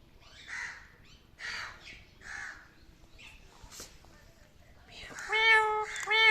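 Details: Pet parrot uttering three rough, breathy caw-like notes, then a pause, then two loud, clear whistled notes with rich ringing overtones that bend slightly in pitch.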